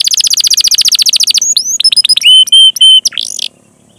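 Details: Canary song meant to prompt other canaries to sing: a rapid buzzy trill, then sharp chirps and long steady whistled notes, ending in a short warble before silence.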